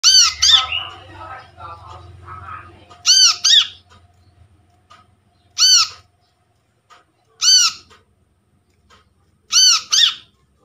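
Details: Brown-throated sunbird lure recording made from a trapped bird, played to attract birds and to get silent sunbirds calling: loud harsh arched notes, single or paired, repeated every two seconds or so after some soft rustling at the start.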